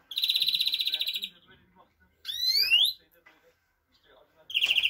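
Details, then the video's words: Greenfinch song opening with a fast, rattling trill of more than a second, followed by a quick rising whistled sweep, then another trill beginning at the end. "Greenfinch Song"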